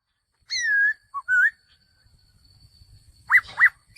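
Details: Male laughingthrush giving a long, loud, slightly falling whistle, then a short low note and a rising whistle, a pause with faint rustling, and two sharp up-and-down whistled notes to finish.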